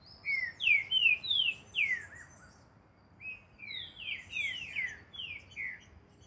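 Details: Green-winged saltator trained in natural surroundings delivers two phrases of bright whistled notes, each note swooping downward, the first phrase loud and brisk, the second softer and longer after a brief pause.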